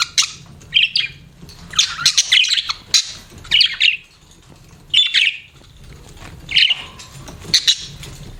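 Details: Pet budgerigars chirping in short bursts of scratchy, warbling high notes, with pauses between phrases and a low hum underneath.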